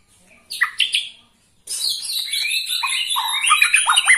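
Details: A 21-year-old white-rumped shama sings: two sharp chip notes, a short pause, then a long continuous run of intense, mixed whistles and harsh chatter.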